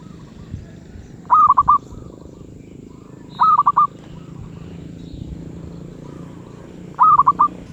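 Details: Zebra dove with medium voice repeating a short staccato coo of four or five notes, three phrases a couple of seconds apart, with faint softer coos and low background hum.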